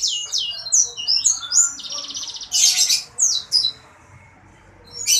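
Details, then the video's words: Sanger bird singing energetically (gacor): quick high chirps and slurs, a steady fine-pulsed trill, a harsh buzzy burst, more chirps, then a short silence before another harsh note. "Burung sanger gacor dor !!!"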